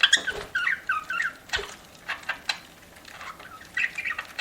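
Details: Pet budgie eating, giving short warbled chirps and soft squeaks spaced between dry clicking and tapping sounds, with a few quiet pauses.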